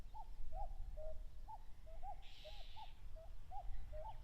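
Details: Rival common cuckoos (Cuculus canorus) in a territorial contest, Mount Fuji foothills, Japan, in late May; rapid overlapping cu-ckoo pairs, the descending second note following the first, from more than one bird, plus a brief high buzzing burst midway.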